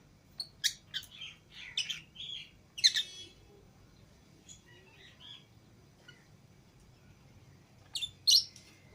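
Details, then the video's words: Green Fischer's and lutino lovebird pairs let out of their cage alongside other lovebirds; rapid squeaky chirps and shrill notes in a lively burst, a pause with soft twitters, then two loud piercing shrieks. "Love Birds Singing And Chirping Sounds"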